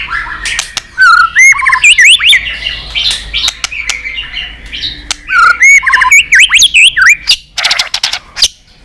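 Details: Competitive white-rumped shama song meant to stir up rivals: varied swooping whistles, slurred up and down, with chattering and harsh notes, delivered in fast, irregular bursts of about two per second.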